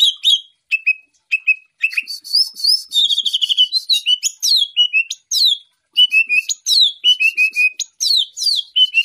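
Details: Greater green leafbird of champion standard delivering a varied, loud song of sharp chirps, whistled slurs and brief rattling trills, phrases tumbling quickly with short gaps between them.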